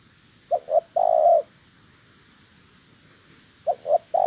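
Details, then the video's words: A wild-caught female spotted dove being trained as a decoy bird gives two short soft hoots, then a longer drawn-out coo, the phrase repeating about every three seconds over faint hiss. "Chim Cu Gáy"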